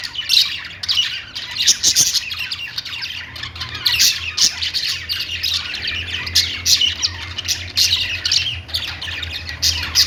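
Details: Household budgies keep up a busy, overlapping stream of sharp chirps and scratchy warbled squeaks, bursts rising and falling every second or so over a faint constant hum.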